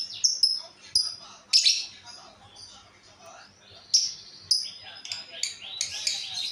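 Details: Strange sound from the female of a lovebird pair: bursts of sharp, piercing squeaks and chattering notes in short clusters separated by brief pauses.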